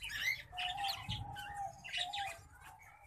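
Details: Hybrid of green singing finch and black-throated canary singing a varied run of chirps and twittering notes, with a steady tonal thread beneath, broken by short pauses.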